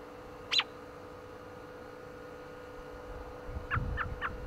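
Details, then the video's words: American robin on a windy day, one sharp high falling chirp early on, then after a pause three short, lower clipped notes in quick succession while gusts of wind rumble underneath. "What's That You Say, Robin? Chirping"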